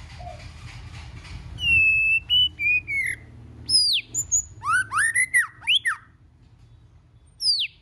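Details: White-rumped shama singing a varied, many-voiced song used to stimulate shamas to sing: a long high whistle, then sweeping up-and-down whistled phrases and bright slurred notes after a quiet low hum at the start.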